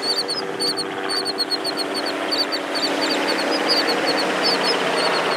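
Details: Royal terns on Malibu Beach, a presumed male courting a female, give short, sharp, high chirping calls, repeated rapidly and overlapping, over a steady roar of surf.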